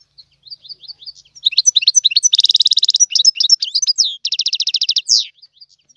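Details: Tiwawati song from a European goldfinch. Soft scattered chirps swell into a loud, fast, rattling buzzy trill, broken by twittering notes and a second trill.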